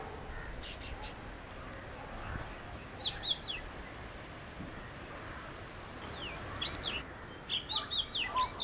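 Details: Oriental magpie-robin from a visiting pair giving short, scattered phrases of sharp whistles and slurred notes, separated by long quiet gaps, against steady faint background noise.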